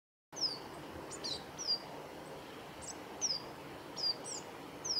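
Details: Male Eurasian siskin at Kawaguchiko Field Center, Japan, on 12 November 2017, giving thin, high, slurred call notes, single or paired, about once a second, over a steady background hiss.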